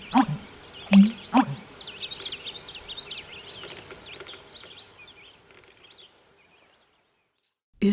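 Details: American Bittern male's spring breeding call, heard at dawn and dusk from wetland reeds and cattails: a deep, gulping three-beat 'pump-er-lunk', hollow and resonant, over thin twittering songbirds.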